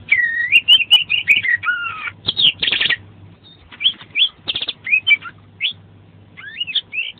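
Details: Oriental magpie-robin (kacer) in lively training song with many fill-in phrases: fluty rising and falling whistles, harsh rattling bursts around the middle, then separate bright whistled notes and upward slurs, with a steady low hum.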